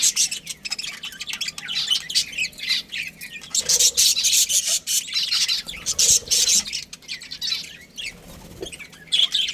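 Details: Budgerigar colony including a breeding pair, busy high chattering and chirping in fast overlapping runs, swelling louder midway and fading toward the end.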